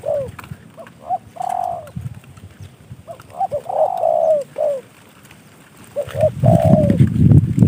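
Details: A kept spotted dove, hand-trained and gifted by a fellow bird keeper, utters three phrases of mellow coos. Each is a couple of short notes leading into a long, slightly downslurred hoot, with low rumbling noise underneath.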